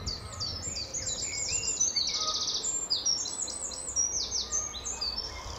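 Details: A very lively Eurasian wren at Standalone Farm, Letchworth, on an early March 2014 morning sings loudly in answer to a nearby wren across territories: a very high, rapid run of sharp notes with a brief rattling trill, over faint rumble.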